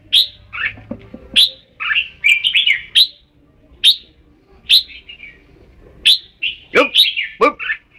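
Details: Red-whiskered bulbul singing repeated sharp chirps and lilting warbled phrases over several seconds; two harsher, buzzy calls break in near the end.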